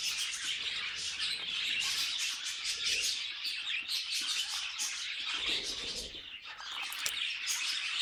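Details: A flock of budgies singing, a constant high chattering of rapid chirps, scratchy warbles and clicks without pause.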